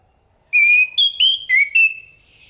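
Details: Chestnut-capped thrush (Zoothera interpres) singing a short phrase of clear, high whistled notes: a long level whistle, then four brief whistles that step up and down, ringing against a quiet background.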